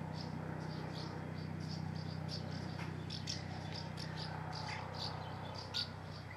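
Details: Common house martins (Delichon urbicum) in Chorzów, Poland, give short, high twittering chirps, scattered several times a second, over a steady low mechanical hum.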